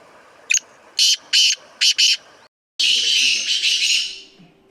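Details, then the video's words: Black francolin (kala teetar) gives a brief sharp note and four harsh, rasping bursts in pairs, followed after a pause by a long, loud, hissing broadband rush. "Black Farncolin/kala teetar ki awaz"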